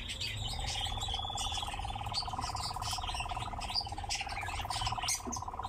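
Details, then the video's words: Kept in captivity, a nightjar produces an unbroken, low, rapidly pulsed churr from start to finish. Scattered chirps and faint high notes from other birds sound over it. "Пение и танец козодоя"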